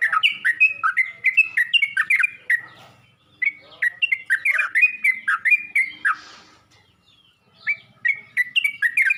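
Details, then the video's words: A yellow-vented bulbul calls out to others of its kind with quick, bubbly chirped notes in bursts, broken by a pause near the middle and a longer silence before a final short run. "Burung trucuk ini pandai memangil burung trucuk lain"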